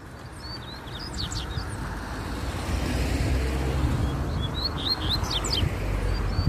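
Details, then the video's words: Double-collared seedeater in nature, described as very spirited and exchanging song with another bird: a quick phrase of whistled slurs and steep falling notes, a pause, then a second similar phrase, over passing traffic rumble. "Coleiro Na Natureza Muito Fibrado Troncando Canto"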